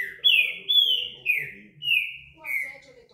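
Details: Trinca-ferro verdadeiro, the green-winged saltator, delivers five loud, rich whistles that glide down in pitch, one after another in a steady measured phrase.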